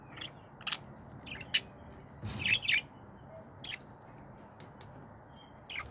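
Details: Bonding budgerigars give short, bright chirps and scratchy warbles at irregular intervals over a low background hum.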